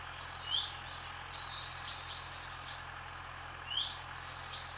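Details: Barn swallows gliding over a swallow farm: thin, high whistled chirps and brief rising twitters, given in loose clusters every second or so, with a constant faint hum underneath.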